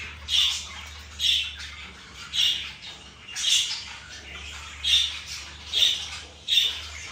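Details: A zebra finch in its morning routine gives nasal, toy-trumpet beeps, about one every second, eight in all, over a faint low indoor hum.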